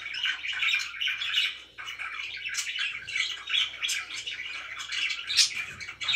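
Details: Budgies kept as pets indoors, several birds chattering at once in a steady stream of raspy warbling and quick high chirps with no pauses.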